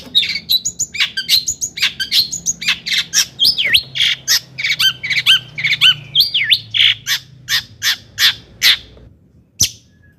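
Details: Long-tailed shrike singing energetically, played to rouse other shrikes. Harsh, scratchy notes come in a fast irregular burst, then slow to about two per second with a few slurred whistles, and the phrase ends with one sharp note.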